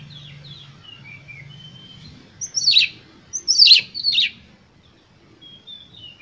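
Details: Emotional lure song of an Oriental magpie-robin meant to draw responses from other birds: soft thin whistles at first, then three loud harsh rasping bursts, fading into quiet high whistles over a low background hum.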